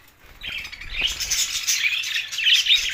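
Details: Budgerigar chatter recorded June 7, 2024, in Larkana, Sindh: silence at first, then a rising stream of high, buzzy warbles and thin squeaks building to the end.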